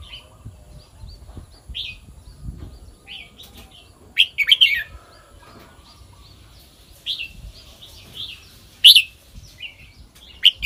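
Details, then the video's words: Red-whiskered bulbul singing the song pattern known in Thai as kwik-jok-khwai-liang: short, scattered chirps and brief bubbly whistled phrases spaced several seconds apart, over a low background rumble. "เสียงนกกรงหัวจุก [ควิก-จ่อก-ไขว้-เลี้ยง]"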